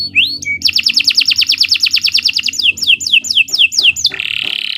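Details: Canary song used as a master recording for training other birds: a rising whistle, then a long fast rolling trill slowing into separate downslurred chirps, ending in a harsh buzz.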